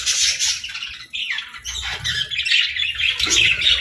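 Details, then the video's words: Budgerigars at morning feeding time chatter in a busy, overlapping stream of scratchy, high chirps and squawks, several birds calling at once with no steady rhythm. "Good Morning Birds Chirping | Budgie Feeding Time"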